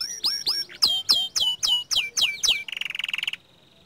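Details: Vigorously singing young canary of the small standard type: a series of loud, downward-sweeping whistled notes about three per second, ending in a rapid rattling trill that cuts off abruptly.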